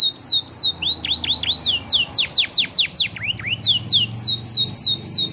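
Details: Competition canary singing a long varied phrase: loud, clear downward-sweeping whistles repeated in quick regular series, about four per second, with some swooping upturned notes in the middle, all very high and clean.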